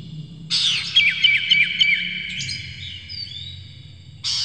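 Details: Oriental magpie-robin lure song for provoking singing: a sudden burst of quick sharp whistles and chips, a few per second, fading into a thin high tone with a rising whistle before another loud burst begins.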